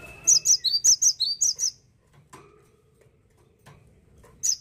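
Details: Cinereous tit, now uncommon in gardens, in Indonesia: an energetic run of about nine sharp, high chirped notes, a quiet stretch with soft clicks, then the start of another phrase.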